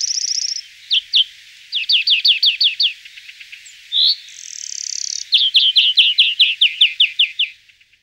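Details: European greenfinch at Florya delivering fast runs of sharp, high twittering notes, several at a time, broken by a brief harsh rasping wheeze in the middle.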